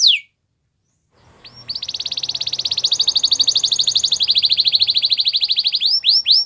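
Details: White Belgian canary in song: a short high descending note, a second of quiet, then a long quick pulsing trill of rapidly repeated chips that runs on steadily and ends with a few looping swoops.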